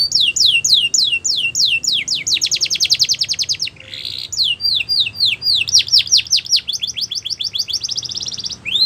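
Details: Border canary song aimed at training young canaries: series of descending slurred whistles speeding into fast rolling trills, a short noisy break, then more slurs and high trills.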